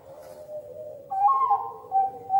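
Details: Competition-style song of a Bangkok zebra dove: a low, steady hum slides into brighter, purring whistled notes that rise and then repeat in short bursts.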